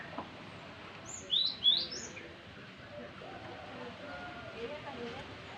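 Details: Young Java sparrow, described as still partly green: two sharp, high, upward-sliding notes close together, then quiet over a dull, low murmuring background.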